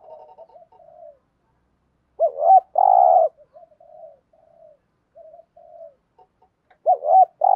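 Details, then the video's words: Decoy spotted dove in a cage cooing the thúc gù phrase to draw in wild doves. Soft murmured notes come first, then a looped coo and a long, rough, steady coo, with the phrase starting again at the end. "tieng chim cu gáy thúc gù, chim cu gáy bài bản giúp bổi nhanh nổi"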